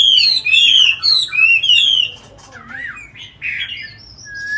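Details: Tame Chinese hwamei kept caged in Hanoi, Vietnam, said to sing very well: loud rich whistled phrases repeated rapidly for two seconds, then a pause, a wavering slur and thin high whistles.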